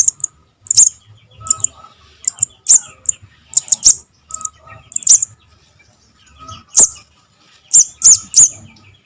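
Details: Javan cuckoo nestling (sogok ontong) calling, a sound used to lure birds into traps: piercing high squeaks in uneven bursts, some in quick pairs, separated by short silent gaps.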